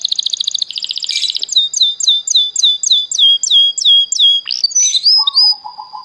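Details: Singing canary opening with a dense buzzy trill, then a rhythmic string of sharp downslurred whistles about three per second, ending in a soft low rolling phrase.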